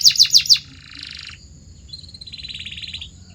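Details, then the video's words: Training song for canaries: four loud sharp descending chirps, followed by softer high rolling trills that fade and return at a slightly lower pitch. "Your Canary Might Sing NON-STOP After This"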